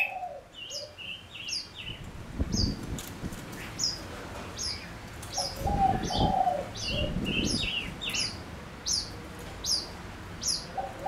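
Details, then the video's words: Male Gouldian finch decoy in song: rhythmic high chirps and buzzy notes in quick succession, with lower hoarse sounds and rumbling noises in the background. "Chim ngũ sắc mồi hót cực hay kích bổi nhanh nổi | chim ngũ sắc hót | ngũ sắc trống"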